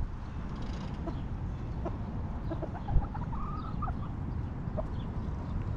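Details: Backyard hens in a cozy coop cluck softly: a run of short, mid-pitched notes clustered in the middle, one sharp knock, and faint high chirps of small birds over constant low background rumble.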